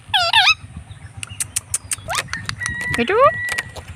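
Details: Blue Indian Ringneck parrot, a pet, on an evening walk, talking: three short, nasal, wavering vocal phrases at the start, middle and end, between many sharp clicking taps and a low background hum.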